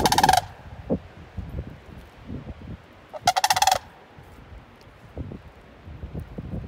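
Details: Sandhill crane recorded 5-3-20: two loud, rolling, rattling calls about three seconds apart, each a burst of rapid pulses with a rich, trumpeting tone, over low background rumble and wind-like noise.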